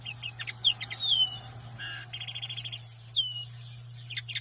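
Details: A common linnet (Linaria cannabina) sings a fast, varied twittering song of dry chirps, rapid trilled buzzes and clear rising and falling whistles, over a faint steady low hum.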